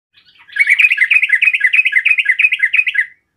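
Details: Sooty-headed bulbul sound used to provoke rival bulbuls into answering: a rapid, even run of short chattering notes, about three per second, sustained for roughly two and a half seconds with no other sounds.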